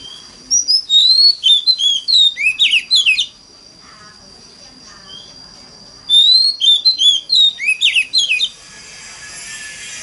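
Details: Oriental magpie-robin (Copsychus saularis) singing two bursts of rich, varied whistles and sweet slurred notes, each about two seconds, used to prompt other magpie-robins to sing; steady high hiss behind.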